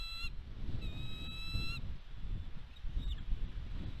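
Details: Nest-cam recording from Catalina Island, California, USA, 29 March 2022, at a bald eagle nest during food deliveries. Two clear piping whistles, the second longer, then mainly wind with a faint chirp.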